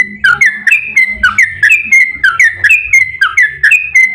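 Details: Song of a yellow-vented bulbul used to stimulate other bulbuls to call back: loud, fluty whistled notes in quick bubbling groups, a dipping note followed by steady higher whistles, repeated without pause.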